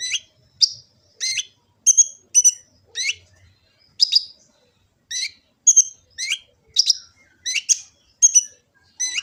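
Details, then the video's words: Sunbird, known locally as kolibri ninja, in full-repertoire song recorded by phone in Gresik, East Java: sharp, high, chirping notes, some sweeping upward, about a dozen short phrases in bursts with brief silent gaps, no other sounds. "Kicau burung kolibri ninja full isian"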